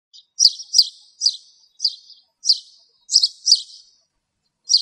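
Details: Spanish sparrow in a bramble somewhere in Greece, recorded in the same area: a run of bright, chirpy notes about two per second, each a short sharp chirp with a slight trill after it, and nothing else heard.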